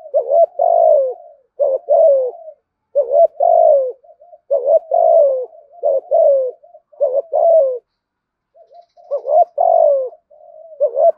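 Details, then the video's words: Long run of spotted dove lure cooing, 'thúc gù' style with a loud voice: about eight fast hollow phrases in steady rhythm, each a brief coo and a longer falling note, one short break near the end. "Tiếng chim cu gáy kích bổi { THÚC GÙ, GÁY GỌI, ĐỦ BÀI, GIỌNG TO } CU ĐẤT THÚC GÙ GIỌNG BÀI BẢN"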